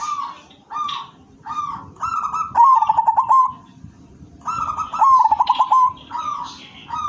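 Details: Zebra dove of silver colour singing often in the 'manggung' style: a series of short low coos, then a vibrating rolled phrase, repeated twice, with faint high chirps and a low rumble beneath.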